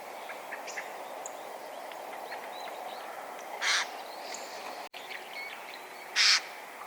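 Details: Eurasian jay that came close while flying about, giving two short, harsh, broadband screeches about two and a half seconds apart over a steady background hiss, with faint thin chirps of small birds between.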